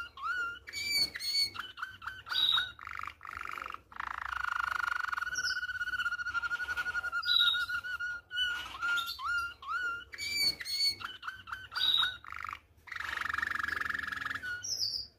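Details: A Malinois canary sings a continuous, rolling song for tutoring canary chicks: long, low, sustained whistles, bubbling water-like rolls and quick trills, broken by brief pauses.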